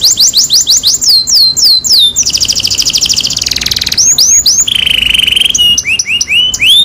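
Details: Singing canary whose song serves as a lure to make a quiet canary sing: quick repeated downslurs, a long buzzy rolling trill, a steady mid-pitched whistled tour, and closing rising chirps.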